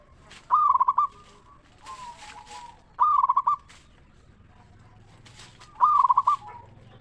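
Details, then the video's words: Local zebra dove song meant to stimulate other zebra doves into singing: three loud trilled cooing phrases roughly every two and a half seconds, fainter coos and some rustling noise between them. "Perkutut Lokal Gacor RAJA PIKAT Suara Ngeristal Paling Ampuh Bikin Semua Perkutut Nyaut Gacor"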